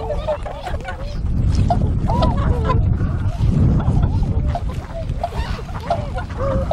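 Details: Wintering flock of tundra swans on a river at Kawajima, Saitama, Japan, recorded 4 February 2017; many overlapping bugling calls, some with rising and falling pitch, sound almost continuously over a steady low rumble of water and wind.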